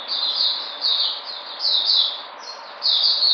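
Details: A white-eye recorded 13 February 2020, said to be returning to form, gives high, thin warbled phrases in several bursts with short pauses between them. The notes are less crisp and more smeared together.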